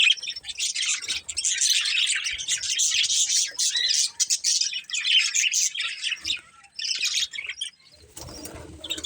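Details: Colourful budgies, a breeding pair, chirping: a dense, continuous warble of high scratchy chirps and twitters, nearly unbroken, with a short noisy burst near the end.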